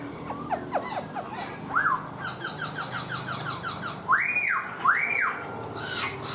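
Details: Caged black-throated laughingthrush singing while dancing with its tail fanned like a fan: a string of arched, rising-then-falling whistles, with rapid repeated chirping notes in between and faint background noise.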